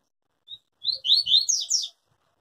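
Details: A yellow-bellied seedeater performs a tui-tui song, described as pure and unbroken. One brief high whistle opens it, then after a gap comes a burst of sweeping, buzzy whistles that flow together, with faint tapping underneath.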